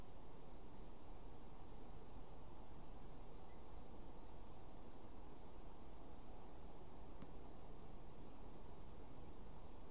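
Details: Dense, even rushing noise like wind over a microphone, heaviest in the low range, with no calls or songs rising above it.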